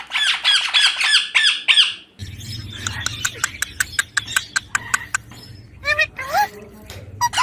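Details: Baby Indian ringneck parakeet kept at home chatters in a fast harsh burst, then softer clicking notes over a low hum, ending with a few sharp rising squawks.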